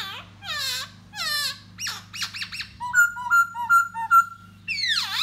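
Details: Laughingthrush of the 'da bò' type singing while dancing to lure a female: varied clear whistles and descending harmonic slurs, then about four steady whistled notes in a row, ending with a rising swoop, over a low steady hum.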